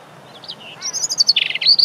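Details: European robin singing at very close range, about half a metre away, in Deal, Kent, UK, on 17 April 2021 on a windy day; rapid high thin notes, a sweet warbled phrase then bright tinkling trills and sliding whistles, loud and clear.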